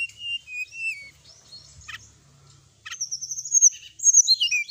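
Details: Sooty-headed bulbul singing in full 'isian' style at night: two drawn whistles, scattered scratchy clicks, then a long bright rapid warble of high chirping notes.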